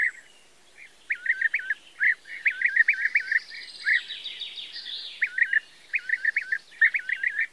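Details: European bee-eaters on the banks of the Loire in May 2022 give liquid, rolling 'prruip' notes in quick runs of several calls, with overlapping calls from other birds and a soft wash of higher sound behind.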